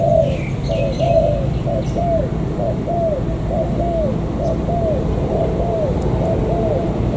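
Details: Newly caught wild spotted dove from near the An Giang border gate, Vietnam, calling a long run of short, arched coo notes repeated roughly once per second. Faint higher chirps early on over steady low background noise.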